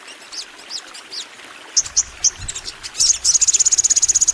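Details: Crimson sunbird (sogon) in long song: a few faint high chirps and sharp notes, then a rapid, even trill of identical very high ticks.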